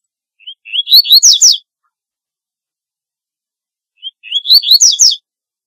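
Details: Double-collared seedeater singing, a song meant for luring birds: a brief high lead-in note then a burst of fast, slurred, buzzy twitters, repeated after roughly three seconds of silence.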